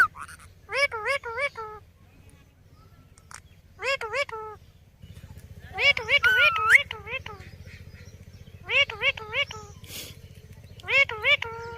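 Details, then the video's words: Rose-ringed parakeet, a pet Indian ringneck, talking "Mithu Mithu": short harmonic, wavering syllables come in quick clusters of three or four, every few seconds, over a steady low hum, with one brief rising whistle in the middle. "Funny Parrot Talking Mithu Mithu"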